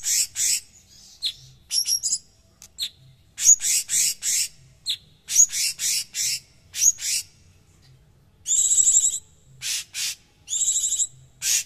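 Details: Cucak cungkok, popular as a song tutor for its coarse, dense voice. Clusters of harsh chirps and raspy bursts are followed by two trilled buzzy whistles.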